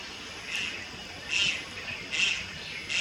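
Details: Juvenile Malayan night heron, Lugu, Taiwan, 30 July 2022, making soft, breathy rasping calls spaced under a second apart, four faint notes over a quiet background.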